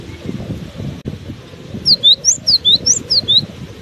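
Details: Cinereous tit keeps singing while buffeted by strong wind; after a gusty, noisy start comes a brisk series of bright, high whistled notes alternating in pitch, about eight in under two seconds, with wind roaring underneath.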